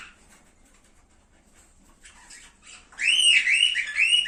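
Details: Cockatiel song for encouraging mating: faint scattered chirps in near quiet, then a loud, clear whistled warble with rolling up-and-down notes at the end.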